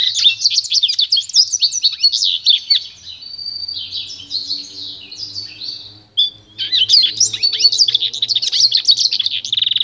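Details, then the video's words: Pure song of a pintagol, the goldfinch × canary cross: fast high twittering, a held whistled note and soft rolls, a short gap, then vigorous chattering warble. "canto puro do pintagol"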